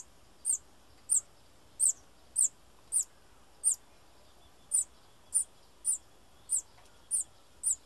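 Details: High, thin bananaquit call notes, short and sharply falling, given in a steady-ish series of about a dozen over eight seconds, with a brief pause midway and quiet surroundings.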